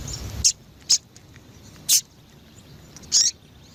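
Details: Four brief, loud, high chips from a female double-collared seedeater meant to rouse males, spaced irregularly across under four seconds over a soft background hiss.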